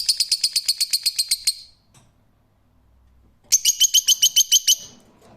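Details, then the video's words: Two rapid bursts of harsh, high-pitched screeching notes from a rose-ringed parakeet, each run about a dozen notes fast and even, separated by nearly two seconds of quiet. "Cennet Papağanı Sesi"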